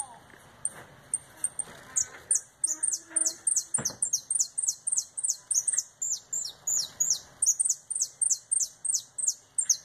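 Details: Canary singing retinido song with a fast 'virada' (turn), bird coming back from molt: a few high sharp ticks open, then a long run of metallic, ringing, downward-sweeping notes repeated about three times per second; faint low background noise.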